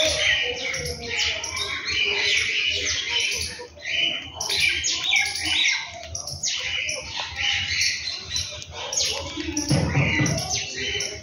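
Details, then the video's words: Birds calling around a home in the morning: dense, overlapping high chirps and short squawky notes in irregular bursts, with a low rumble of background noise. "beautiful sound of birds in my home"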